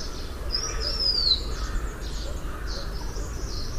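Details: Blue-winged minla giving one thin, high whistle that slides downward over about a second, with soft chirps from other birds and low background rumble.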